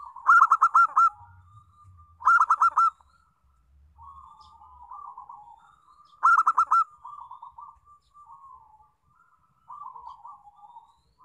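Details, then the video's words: Local zebra dove song used as a lure to make other doves sing: loud stuttering coo phrases repeated about every two seconds, each a quick run of ringing notes followed by softer rolling trills. "Pancingan Perkutut Lokal"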